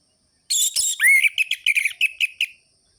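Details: Orange-headed thrush in lively ngerol-ngeplong song, aimed at rousing sluggish thrushes: a harsh noisy burst, then a clear rising whistle followed by a rapid series of short bright notes tailing off.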